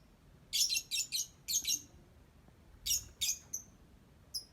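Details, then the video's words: Pet lovebird chirping during its ngetik: shrill, harsh chirps in quick groups of three or four, a pause, then two more loud chirps and a few softer squeaks. "Love Bird Cantik Pinter Ngetik"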